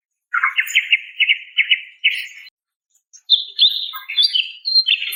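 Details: Female greater green leafbird calling a male: a run of quick, even trilled notes in one buzzy band, a short pause, then higher, sharper chattering chirps, clean with no other sounds.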